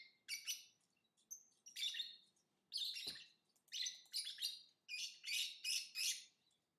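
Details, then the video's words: Lovebird chatter of shrill, buzzy chirps, repeated in quick bursts that speed up toward the end, with one brief sharp click midway and a faint low background hum. "Lovebird Singing & Chirping Sounds"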